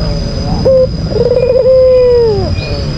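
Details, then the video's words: Albino Barbary dove, a white captive bird, giving a rival-provoking coo: a quick short opening note, a stuttering trilled phrase, then one drawn-out even coo that drops away at its close; steady faint whine in background. "Pancingan bikin emosi lawan, Albino Gacor"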